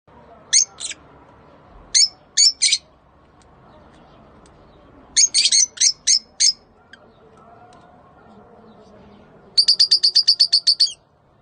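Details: Rosy-faced and Fischer's lovebirds in a mating call used to stimulate breeding: sharp, high chirps in short clusters of two to five notes, ending with a fast rattling series of about ten rapid notes.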